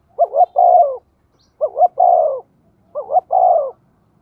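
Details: Decoy spotted dove giving thổ-style coos. Three regular phrases about one and a half seconds apart are heard, each made of two rapid rising notes and one drawn-out, downward-curving coo, with clean silence between them.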